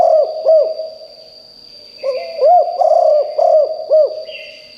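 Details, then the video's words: A spotted dove used as a decoy for wild birds coos: two arched notes end one phrase, then after a short silence a fresh phrase of four or five loud rounded coos follows. A faint higher chirp and a steady whine are also audible. "นกเขาใหญ่คับ birds - เสียงนกร้องแรงมากจนนกในป่าร้องตาม"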